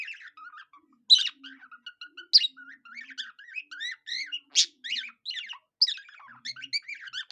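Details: Budgie sings like a cockatiel, mixing thin repeated peeps with bright upward-and-downward whistled slurs and several loud sharp squeaks standing out from the chatter.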